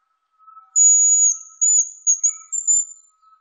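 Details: Hazel grouse recorded in 2020, with insect sounds in the recording, giving a very high, thin whistle that wavers and breaks into short trilled notes.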